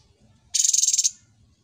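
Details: Cucak cungkok, a trained bird praised for its mastered repertoire, delivers a single buzzy, high, rapidly beating trill of about twelve pulses lasting half a second, against a quiet background.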